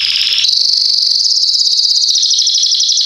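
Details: A loud Belgian canary, kept as a tutor for young birds learning to sing, delivers one continuous rapid high trill that steps up in pitch early and holds steady, rolling evenly throughout.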